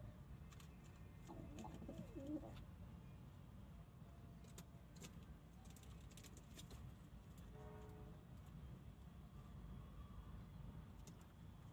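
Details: Domestic pigeon giving a short burst of deep, wavering coos near the start, then quieter murmurs, with vehicle rumble running beneath throughout.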